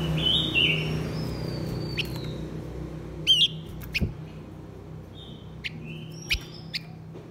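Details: Blue-winged minla pair, male and female, singing to provoke wild birds. Slurred whistles open, then sharp chips, a quick upswept double note and scattered thin, level whistles over a steady low hum.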